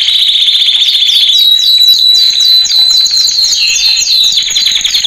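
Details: Male canary training song: a steady high trill with quick descending whistled notes repeated about three times a second over a continuous rolling background.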